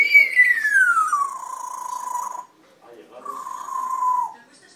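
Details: Red-tailed African grey parrot producing a long, loud whistle that glides smoothly downward and levels off, then a shorter flat whistle after a brief pause.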